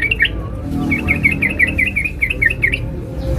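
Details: A female sooty-headed bulbul calls a male with a long run of quick, sharp chirps at a steady pace, nearly without pause, against a low rumbling background.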